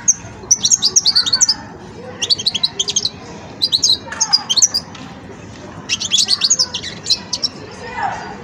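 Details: Juvenile European goldfinch in its song-learning phase, delivering bursts of bright, high-pitched twitters and liquid tinkling notes, each phrase lasting about a second, separated by short silences.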